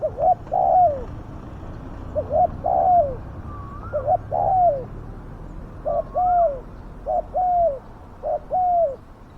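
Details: Spotted dove kept to lure and trap wild doves, described as loud and fierce-voiced. Repeated cooing phrases each pair a short hoot with a longer falling coo. A higher rising whistle from another bird sounds twice.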